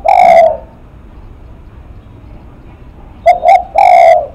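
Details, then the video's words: A spotted dove gives a sustained low coo, falls silent for nearly three seconds, then delivers two quick notes and another long resonant coo, in the style called lắc mặt. "Cu Gáy Lắc Mặt"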